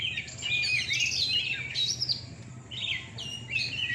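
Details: Caged Oriental magpie-robin (kacer) at a night singing contest in Surabaya, Indonesia: a few sweet, slurred whistled phrases in quick succession, then short separated notes, with a low hum in the background.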